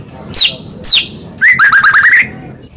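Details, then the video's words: White-rumped shama song played to rouse a silent shama: two high downslurred whistles, then a quick rolling series of clear rising notes. "Pancingan Handal Buat Murai Diam Seketika Langsung Emosi"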